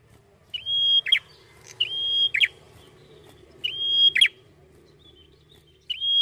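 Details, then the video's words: Red-headed prinia singing at full vigour: a steady high whistled note held about half a second, ending in a sharp, lower, downward-flicking double note. The phrase repeats four times over a faint low hum. "KECIL BERSUARA MERDU !! BEGINILAH GACOR MAKSIMAL PRENJAK KEPALA MERAH"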